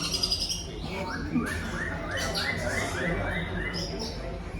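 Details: A greater green leafbird repeats a series of about seven short rising whistled notes in steady rhythm, part of a mimicry display of tengkek udang and jinjing petulak material, over soft chatter and hum.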